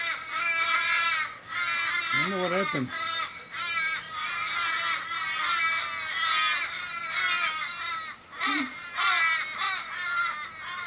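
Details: A wild flock of Australian ravens in Kellyville, Sydney, on 1 July 2012, calling in distress around an injured, dying raven in the street; overlapping nasal, wavering caws fill the air, with short bursts of human speech twice.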